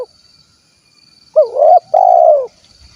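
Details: Indonesian spotted dove of the 'kuk 1' type, from Cilacap, Central Java. A clipped note is cut off at the start, then after a pause comes a swelling, wavering coo and a long, burry coo that falls away. A faint high hum continues.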